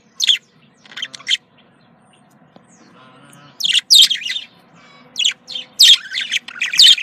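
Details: Female and male budgerigars, kept as pets, heard in breeding-stimulation chatter: scattered chirps at first, then dense bursts of high scratchy twittering and squeaky warbling notes.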